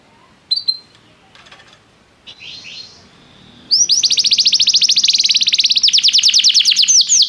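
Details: Canary, restless, begins with faint scattered chirps over low background hiss, then bursts into a loud, sustained, very rapid high trill of repeated notes lasting several seconds.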